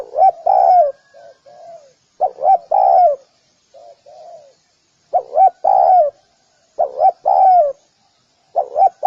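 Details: Spotted dove cooing repeatedly, low and hollow, phrases of two short notes and a drawn-out falling coo, mixed with fainter, shorter cooing bits between the louder phrases; otherwise quiet.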